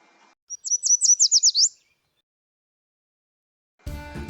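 A Yellow Warbler sings a bright, high-pitched phrase of about seven quick sweet notes, ending in slurred downward notes; music begins shortly after.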